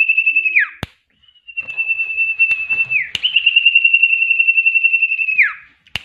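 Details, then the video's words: Common iora (cipoh) in full, lively song with a varied repertoire: long, steady high whistles, each held for seconds before a quick downslur, with a few sharp clicks between. "Suara burung cipoh gacor isian banyak"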